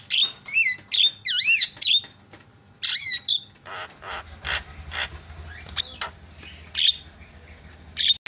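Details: Javan myna giving a song of loud looping whistles and harsh squawks, then quieter scattered notes over a low background hum.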